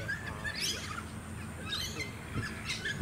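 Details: Comb-crested jacana at a small artificial lake on the Sunshine Coast, Queensland, in March 2018: short squeaky chirps in scattered bursts, some sweeping sharply upward, over steady wind and low suburban background rumble.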